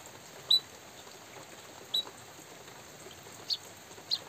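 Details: A white-headed munia gives four thin, high, clipped chirps, about one to one and a half seconds apart, over a steady hiss of light drizzle.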